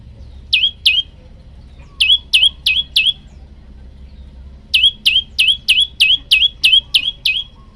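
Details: Olive-backed tailorbird, male, calling a female with repeated bright falling chirps in three bursts of two, four and eight notes, steady and evenly paced, background otherwise quiet.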